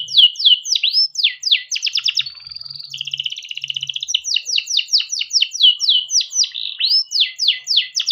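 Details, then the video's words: Caged canary singing persistently, meant to coax young canaries into song: repeated slurred whistles, a buzzy drawn-out roll in the middle, then more rapid sweeping notes. "burung kenari gacor panjang efektif buat pancingan kenari paud || canary singing"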